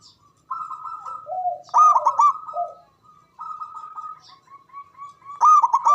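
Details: Javanese zebra dove with a strong voice and long breath, used to rouse other doves: long level coos alternate with lower drawn notes, punctuated by two bursts of fast bubbling staccato notes.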